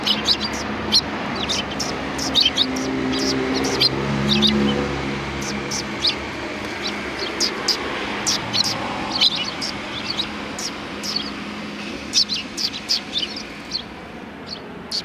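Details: A crowd of sparrows welcomes someone in front of a cultural hall on 7 February 2020, giving a constant patter of high chirps from many birds, over low traffic hum and faint voices.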